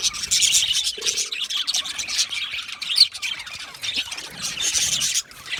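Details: Australian budgerigars chirping, a gentle constant sound made when content or communicating with each other: continuous high, buzzy chatter with overlapping chirps and squawky notes, one brief lower whistled note, fading out near the end.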